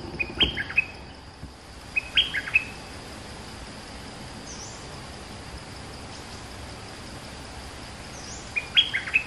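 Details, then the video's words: A caged bulbul (merbah lekir), two months in the cage, gives a passable song of short bursts of bright, bubbling notes in three quick phrases, with long pauses between them over a faint hiss. "Suara pikat merbah lekir gacor"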